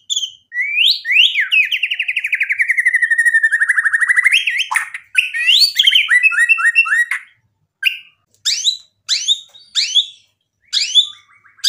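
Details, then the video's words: White-rumped shama in loud, lively song full of mimicked phrases: a long rapid trill sliding downward over several seconds, then jumbled chattering and stuttered notes, ending in a series of short sharp whistled phrases separated by brief pauses. "MURAI BATU GACOR bikin EMOSI jadi NYAUT BUNYI BONGKAR MATERI ISIAN | murai full isian"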